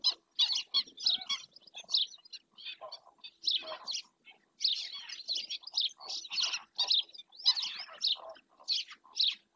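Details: A black-winged stilt in Doñana National Park, heard on a webcam, keeps up rapid, scratchy, high yelping calls in dense clusters with brief silent gaps.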